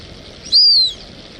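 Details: Brazilian teal, known locally as marreca ananaí or pé vermelho, in an unedited recording: one clear, high, thin whistle that rises then gently falls, lasting under half a second, over a faint steady background hiss.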